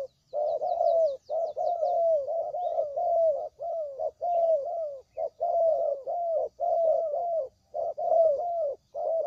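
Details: Spotted dove coos for luring birds into a trap: steady stream of mellow, slightly falling notes in quick pairs and triplets, with faint high chirps at the start.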